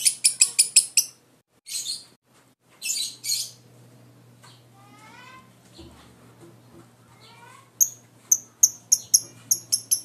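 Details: Lovebird ngekek konslet chatter in short bursts of fast, shrill notes, separated by quieter pauses with a few soft descending twitters, then a final lively burst of repeated chattering; faint steady hum beneath.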